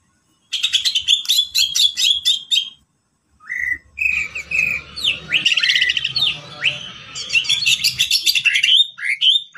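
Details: Greater green leafbird, described as a champion, delivering a full isian song of dense chattering notes. After a short silence come twisting whistled slurs and a busy mix of trills and chips.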